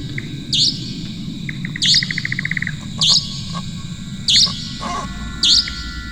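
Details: Indian Nightjar, a bird active all night, calling in a forest as evening falls: harsh, high, astringent rasping notes about every second, with a quick run of dry ticking notes that speeds up. Soft rural background hum.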